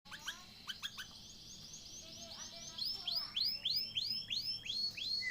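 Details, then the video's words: Canary song used as a lure to get a silent caged canary singing again: clear whistled notes, then a fast run of repeated upward-curving sweeps, several per second, with faint background hiss. "Pancingan burung kenari macet dijamin ampuh untuk bunyi kembali"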